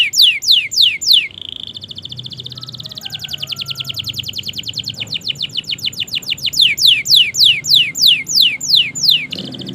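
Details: Canary delivering long continuous song for coaxing quiet birds to sing: bright falling whistles, a brief buzzy trill, a long run of rapid high notes, then loud repeated swooping phrases again.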